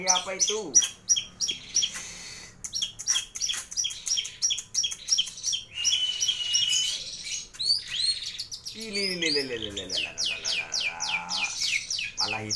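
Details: Cendet or pentet, the long-tailed shrike, singing continuously in a complete master recording packed with fill-in phrases: dense rapid chattering, high sharp notes and trills, a few lower rising and falling nasal slurs, and brief pauses.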